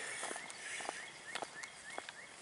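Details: On a fine spring day's walk downtown, a Northern Cardinal sings a faint series of clear, slurred whistles, several a second, over steady outdoor hiss and a few soft clicks; a woodpecker was also in the area.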